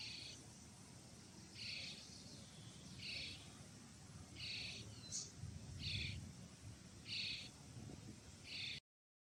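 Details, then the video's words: Common starling chicks being fed in Pärnu on 1 July 2025: short, raspy, hissing begging bursts, about seven in nine seconds, roughly every one and a half seconds, over a low steady background rumble. "Common starling feeding chics, Pärnu, 01.07.2025 / kuldnokk tibusid toitmas"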